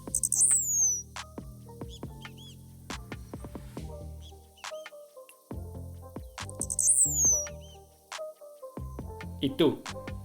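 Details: Blue-black grassquit in open tropical grassland in Morelos, Mexico, singing from an exposed perch: two high, thin songs, each of three quick pulse-like notes and a longer falling buzz, over background music and a narrating voice.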